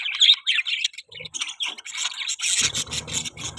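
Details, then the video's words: Pet budgerigars chirping in a continuous warbled chatter of high tweets and trills, with a buzzy scratchy texture joining in the second half. "Budgie Chirping sound|Budgies bird sound|Parakeets sounds"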